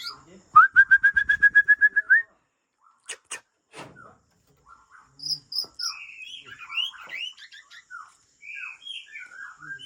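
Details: Original breeding-stock Aceh white-rumped shama from Lamteuba: a fast even rattle of a dozen repeated whistled notes, then sharp clicks and a scattered sequence of varied high whistles and slurred chirps.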